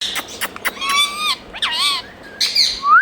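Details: Pet Indian rose-ringed parakeet, a green ringneck parrot, giving a mix of sharp clicks, bright rising and falling whistled notes and harmonic-rich chattering phrases, ending on a loud upward-sweeping whistle.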